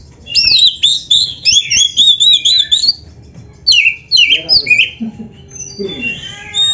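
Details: White-rumped shama song for training a kept bird's fight spirit: dense looping whistles and harsh squawky notes in rapid bursts, broken by short pauses, plus a few lower clicks and noises near the end.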